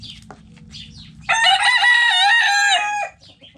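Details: Rooster crowing in a backyard coop among hens: one strong, drawn-out, rich-toned crow of about two seconds that wavers slightly before breaking off. Quiet clucking before and after, over a faint low hum.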